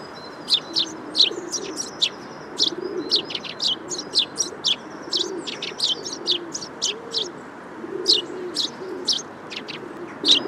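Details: Eurasian tree sparrow calling: a steady stream of short, sharp, high chirps, some in quick pairs and bursts, over a faint low cooing of doves in the background.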